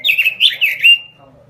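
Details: Short, loud burst from a lively singing robin: about a second of rich, rolling, slurred warbles in rapid pulses, fading quickly into near silence.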